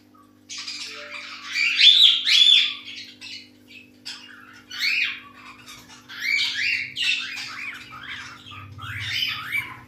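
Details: A hand-tamed albino cockatiel chick gives harsh, raspy squawks in quick, irregular bursts.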